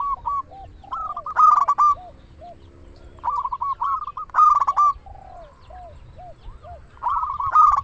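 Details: Zebra dove, local type, in continuous song to coax other doves to sing: repeated loud stuttering coo bursts trailing into short descending notes, recurring every two to three seconds.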